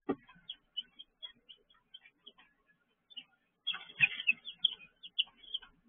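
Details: Young chickens peeping in their brooder at 6 pm, June 19, 2023; scattered thin high chirps, then a dense burst of overlapping peeps with a scratching thump in the middle.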